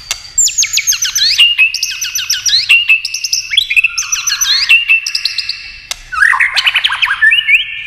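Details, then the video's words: White-rumped shama in competition singing of many voices: fast series of high, repeated whistled notes in short rattling phrases, one after another, ending with a lower warbled flourish. "kích chòe lửa hót đấu nhiều giọng"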